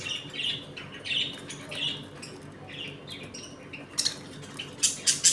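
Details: Home-kept budgerigars eating, playing and fighting: a series of warbling, chirpy phrases, followed by sharp clicks and harsh squawk bursts toward the end.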